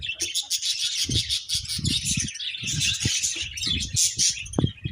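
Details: Several budgerigars chirping together in a dense, continuous chatter of high buzzy warbles and rapid twitters, with low thumps and fluttering underneath.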